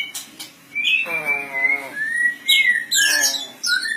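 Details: Kacer voice with long steady whistles, one carrying a nasal, layered tone, followed by bright chirps and quick high twitters.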